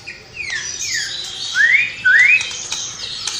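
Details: White-rumped shama singing with imitated sparrow, lovebird and kapas tembak calls. Two falling whistles, then two clearer rising whistled slurs about half a second apart, over a hissy background.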